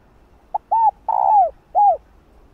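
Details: One full cooing phrase from a female spotted dove, aimed at prompting males to call. A brief soft note leads into an arched coo, a drawn-out descending coo and a last arched coo.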